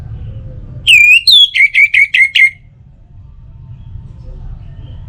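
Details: Orange-headed thrush, a recording to lure other birds into song morning and evening: a ringing whistle, a slurred second note, then about six rapid short whistles, followed by quiet with only low background noise.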